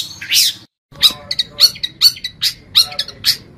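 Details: Energetic song of a long-tailed shrike, recorded to tutor caged songbirds: a harsh opening burst, a short pause, then a fast string of rasping, chattering notes with bright whistled accents.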